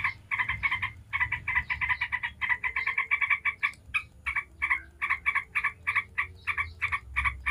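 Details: Yellow-vented bulbul chattering in the 'ngebren' style as a lure for other bulbuls. A fast, harsh run of notes slows into separated stuttering calls about three per second.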